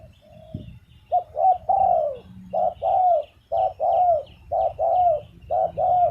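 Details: Spotted dove giving repeated coo phrases after a soft opening note, each a quick short note followed by two fuller, downward-curving coos, with faint higher chirps and low hum beneath.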